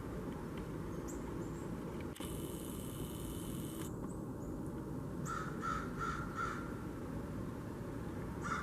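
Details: Blue jays at a kitchen-garden bird feeder on 13 October 2021: four quick, harsh calls, then a lone call at the very end, over low rumbling noise, with a brief hiss earlier.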